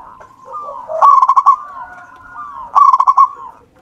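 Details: Local wild-type zebra dove singing steadily, used as a lure to get other doves singing: soft falling coos, then two loud rapid bursts of staccato rolling notes about two seconds apart, in a quiet setting.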